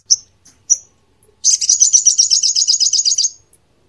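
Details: Crimson sunbird song used to teach other songbirds: two brief high chips, then a rapid, sharp, high-pitched trill of rhythmic repeated notes lasting about two seconds.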